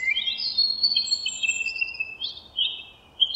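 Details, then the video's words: Birds twittering in a forest: overlapping thin, high whistles and trills from several voices run almost without pause, some notes sliding and wavering, with a brief lull near the end before another sharp chirp. "Birds twittering in the forrest"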